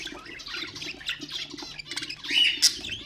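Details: Budgerigars, pet birds, singing to stimulate other birds: soft warbled chatter with buzzy notes, rising to a brief sharp squeak near the end.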